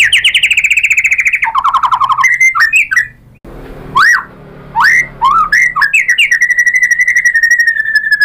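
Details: White-rumped shama song to provoke other shamas: a long fast trill, a lower stuttered trill, a brief pause, then loud rising whistled upslurs and a final rapid even trill.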